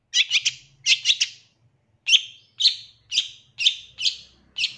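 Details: Tutor recording of a long-tailed shrike for captive birds: a fast triple chip repeated twice, then single harsh chirps spaced about half a second apart; soft low hum underneath.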